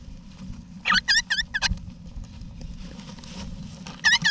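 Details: Wild eastern rosella parents with chicks in an Australian backyard nest box, November 2018; a rapid series of five bright, high, curved notes, a pause with faint rustle, then two more notes close together.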